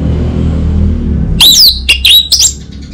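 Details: Orange-headed thrush (anis merah) lure and master song from North Bali, Singaraja, played to prompt an untrained bird to answer. After a second and a half of low hum, loud whistled, sliding, twisting phrases come in quick bursts.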